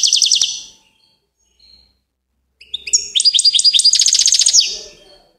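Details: A goldfinch gives a brief twitter, pauses, then launches into a longer phrase of tinkling chirps that speeds into a fast, even, buzzy trill before stopping.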